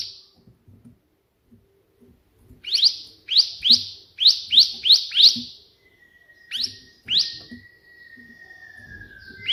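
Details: Bar-winged prinia in active 'tembakan' burst song modelled on the white prinia, used as a tutor track: after soft ticks, a quick series of piercing upslurred notes, then scattered notes and a long thin steady whistle.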